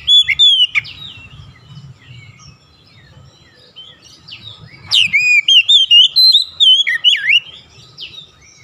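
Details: Oriental magpie-robin song used to provoke other magpie-robins to sing: brief whistled phrases at the start, a subdued stretch with low rumble, then a loud, rich run of rising and falling warbled whistles repeated in quick succession.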